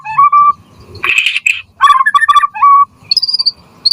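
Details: Lively white-rumped shama singing as a lure and tutor for other shamas: level clear whistles, a rough buzzy burst, then rapid clipped notes and a high thin whistle to finish.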